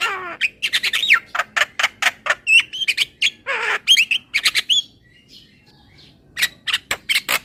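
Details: Javan myna song aimed at making a bird sing more: rapid scratchy chatter mixed with slurred whistles and a grating rasp, a short pause, then more quick clicking notes.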